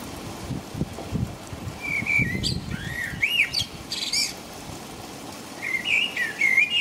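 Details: Blackbird singing at night in the rain in England. Unhurried whistled phrases with looping, rising and falling fluty notes and a thin high squeak are separated by pauses. Constant rain patter and low background rumble.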